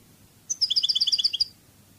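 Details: European goldfinch singing in the Spanish Cádiz song style: a bright one-second phrase of about a dozen rapid, high, tinkling notes alternating between two pitches, opening with a sharp upper note, against a quiet low hum.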